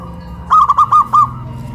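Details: Local Zebra Dove in Kuningan, West Java, singing while hoisted on a pole: a quick run of five soft, clipped coos at one steady mid pitch, each slightly rising and falling, over a faint low hum.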